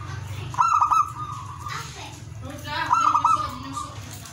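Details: Zebra dove singing in the lively ngowar style, meant to stir breeding desire in other doves: two cooing phrases, each a quick stutter of clipped notes rolling into a short trill, over a steady low hum.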